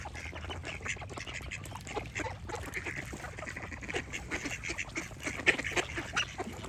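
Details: Ducks quacking in a dense flock, many harsh nasal quacks overlapping in quick irregular bursts over a steady low rumble and clicking background.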